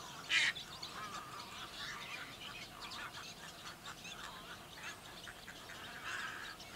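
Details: Baya weaver colony in June, breeding in small trees alongside nesting little egrets, pond herons and cattle egrets at fish ponds near Bangkok, Thailand: dense, wheezy, sizzling chatter from many birds, with a loud harsh squawk near the start, likely an egret.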